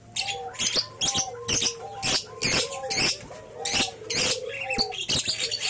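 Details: Three-month-old lovebird chick from a champion bloodline gives loud chattering bursts about twice a second, scratchy and high-pitched. Soft, sliding lower whistles run along underneath.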